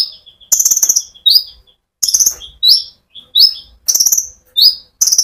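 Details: Konin sunbird in full rolling song, played to spur other birds to sing: bursts of very high buzzy trills alternate with short rising and falling slurred notes, a few phrases about a second apart.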